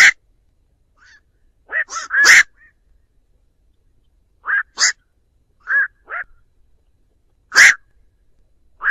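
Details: Black-crowned night heron calling its flock, a recording used as a lure: short harsh croaking barks, some single, some in quick pairs or triples, scattered over nine seconds against a silent background.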